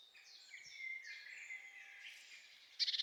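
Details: A Eurasian blue tit in Finland, whose song is described as short, punchy and loud to cope with city noise: thin, very high drawn-out whistles overlap and slur downward, ending in a quick, loud, buzzy trill over soft hiss.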